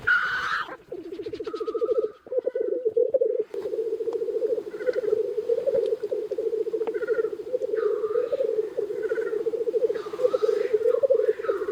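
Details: Early spring lek of numerous black grouse males near a hide, a dense unbroken chorus of low pulsing bubbling, overlaid by repeated harsh hissing sneezes from cocks nearby.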